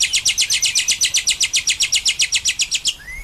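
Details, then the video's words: Lovebird giving a ngekek, the long chatter, used as a tutor recording: a fast, even series of about twenty sharp, high chattering notes, nearly four per second, ending in a short rising squeak. "Masteran Lovebird AMPUH...! Lovebird Anda pasti Ikut Nyaut..."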